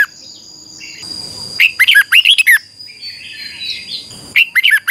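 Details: Red-whiskered bulbul in song training gives short bursts of bright, twisting whistles after a quiet start, with soft rustling and faint background chirps between phrases.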